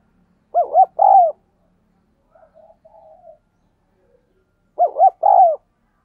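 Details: Decoy-training 'thúc gù' coos of a spotted dove, meant to set wild doves cooing. Two identical loud phrases about four seconds apart, each two quick arched notes and a long coo, with soft low murmurs in between.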